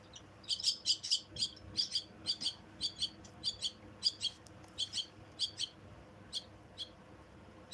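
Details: Myna chicks being fed, giving rapid harsh high-pitched chirps in quick bursts of two or three, repeated steadily through the whole stretch with little background noise.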